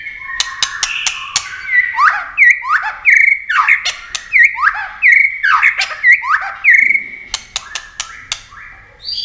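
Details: White-rumped shama singing in competition, flicking wings and tail continuously: rapid series of loud downward-sweeping whistled notes repeated about every half second, with sharp clicks and chattering phrases around them.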